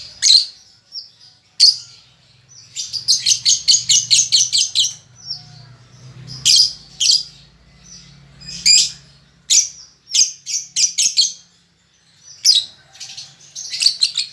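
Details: Baby lovebird learning to chatter delivers long runs of rapid, evenly pulsed high buzzy chirps, like fast typing, broken by single sharp calls and pauses, over a faint low hum.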